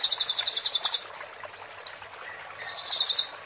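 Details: Ruby-cheeked sunbird giving its full roll tembak fill, meant for tutoring a bird in moult: a rapid buzzy pulsed roll, then a few thin high whistled notes, and another fast rattling trill.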